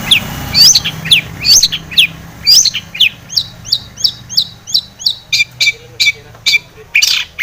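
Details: Long-tailed shrike singing energetically, a lure to provoke shrikes into agitated song; a run of quick high slurred whistles about once a second, then harsher clipped notes near the end, over a faint low drone.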